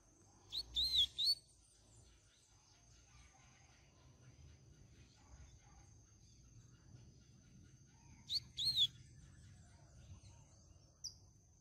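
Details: Double-collared seedeater, Canto Grego song style meant for teaching young birds: two brief, bright twittering phrases with swooping notes, about seven seconds apart, over low rumbling background noise and a constant thin high-pitched tone.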